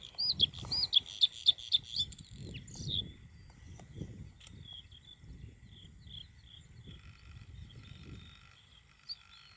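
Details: Bluethroat song recorded in June 2021: an opening burst of six or seven sharp, ringing repeated notes, then softer scattered twittering over a low rumbling background.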